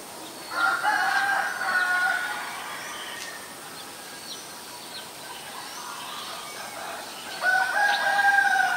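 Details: Asian koel, male and female: two bursts of harsh, rapidly repeated harmonic notes, each lasting about two seconds, early and late, with a quiet stretch of faint bird chirps between them.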